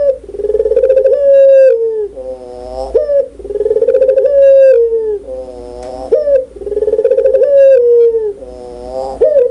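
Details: Puter pelung (Barbary dove) cooing loudly and clearly, three evenly spaced phrases about every three seconds. Each is a rapid rolling lead-in, a long level coo gently falling at the end, and a short nasal tag note.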